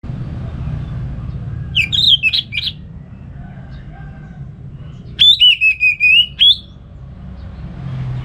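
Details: Caged orange-headed thrush at home in Singaraja, North Bali, singing 'ngeplong gacor' in the morning, used to train other songbirds: a short burst of chirpy notes, then a longer sustained whistled run with buzzy edges, over a low steady hum.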